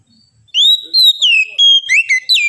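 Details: Kacer (oriental magpie-robin) song: a rising whistle followed by a rapid sequence of slurred, clear whistled notes with quick downward slides, sung against a silent background.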